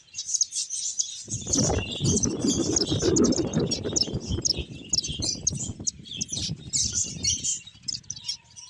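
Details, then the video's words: A group of finches chirps with thin, high twittering throughout, while a rustling, rumbling noise rises after the first second and fades near the end. "Cute Finches Chirping Sounds"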